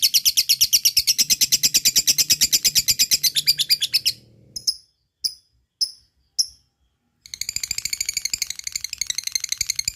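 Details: Fighter lovebird ngekek for stirring lazy lovebirds: four seconds of fast shrill chattering, four isolated sharp chirps separated by silences, then the rapid chatter resumes.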